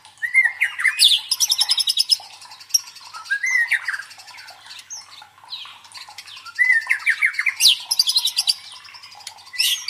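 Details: White-rumped shama song played to stir fighting spirit in contest birds: loud fast trills alternate with rising whistled phrases and quieter warbling, the trilled bursts recurring several times.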